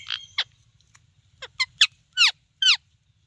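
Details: Talking parrot chirping: a few squeaky notes, then sharp downward-sweeping whistled chirps, each louder than the last, spaced roughly half a second apart, against a faint low rumble.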